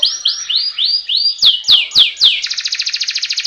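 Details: Canary tutor song meant to make birds sing quickly: five rising upswept whistles, then four loud falling notes, closing on a rapid pulsed trill.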